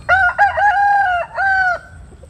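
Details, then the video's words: Rooster crowing at dawn during morning sunning; one clean, loud crow: a stuttered opening, a long level middle and a final drawn syllable. "Tiếng Gáy Lúc Tinh Sương"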